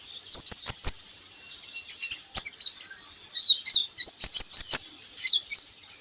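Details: Lure song of a van Hasselt's sunbird for coaxing kept birds into song: rapid, bright, high-pitched chip notes in fast strings of about three per second, with loud ticking clicks.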